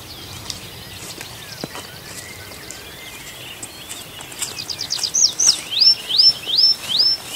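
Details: Birds in a forest at night, Arkhangelsk Oblast, June. Several seconds of faint distant chirping, then a bird near by delivers a string of high, clear swept notes, each rising then dropping, at an even pace.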